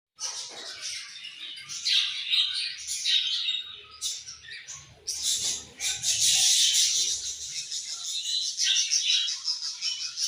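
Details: Colorful budgies chirping as a group: dense, overlapping high warbling chatter and squeaky twitters, swelling louder and fuller halfway through and staying busy to the end.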